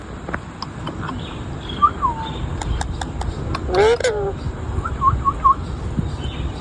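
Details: A pet Indian ringneck (rose-ringed) parakeet gives short whistled notes, then a loud, harsh, rising squawk and a few quick chirps, over faint household noise. The bird reportedly bit at the end.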